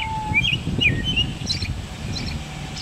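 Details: American robin singing in a neighbour's tree. Two or three brief whistled phrases come early, then quiet. A strong low rumble of background noise runs throughout.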